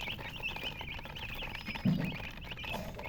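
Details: Chicken giving quick, thin chirps in an almost continuous stream, with a brief low thump near the middle.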